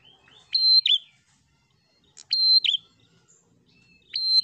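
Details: Loud prinia fighter song for provoking other prinias, three strident high notes, each a level whistle snapping down into a buzzy twang, spaced well apart with quiet between.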